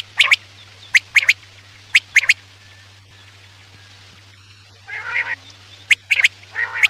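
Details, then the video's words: Quail calling at night, used as a hunting lure: pairs of crisp clicking notes roughly every second, then longer raspy, nasal calls toward the end, over a low continuous hum. "Batair ki awaz raat k liye|batair ki awaz shikar k liye"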